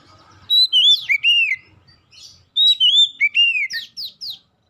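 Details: Oriental magpie-robin singing, a recording meant to trigger song in other birds: two loud phrases of sweet whistles that glide downward and arch, ending in quick sharp sweeps.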